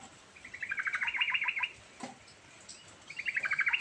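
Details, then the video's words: Rolling, varied song of a yellow-vented bulbul, meant to lure a non-singing bulbul. A long burst of rapid bubbly notes, then a pause with a faint knock, then a second chattering run begins. "Burung Trucukan Gacor Ngerol Isian Variasi"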